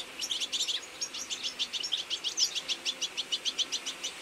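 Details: Autumn feeding flock of goldfinches, Carduelis carduelis, giving a rapid, steady stream of short, high tinkling notes, about three per second, over a soft background hiss.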